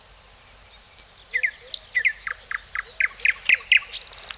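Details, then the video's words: Birds singing in Tykocin in Poland's Podlasie region: thin high whistled tones open, then a fast series of bright chirps and trills quickening toward the end, with a fainter lower caller underneath and light outdoor hiss. "Śpiew ptaków"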